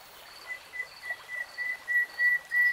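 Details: Common nightingale song phrase of repeated pure whistled notes on one pitch, each longer and louder than the last, swelling to a strong crescendo.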